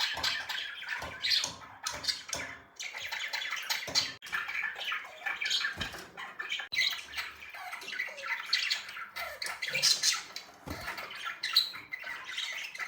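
Budgerigars chatter in a steady, scratchy warble of rapid chirps, clicks and squeaky notes.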